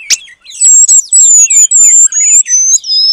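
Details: Oriental magpie-robin mimicking the Asian paradise flycatcher, used as training material: very loud, high thin whistled strokes, slightly falling, repeated in a steady run after a sharp opening note.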